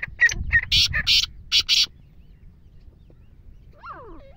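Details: Black francolin from Bhakkar, Pakistan, giving a harsh, grating run of about six scratchy notes in under two seconds, followed by a faint descending whistle from another bird.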